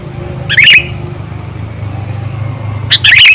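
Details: Lure-trained sooty-headed bulbul, aged around eight or nine years, used to attract wild birds; two loud chattering chirp bursts, one early and one at the end, with a low background drone.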